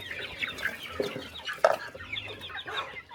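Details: Chickens on a small countryside farm during a quiet morning feeding, giving scattered short clucks and squawks, with a louder burst midway, over soft background chirping.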